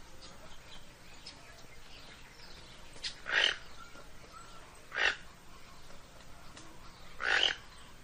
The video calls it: Canto del tucan toco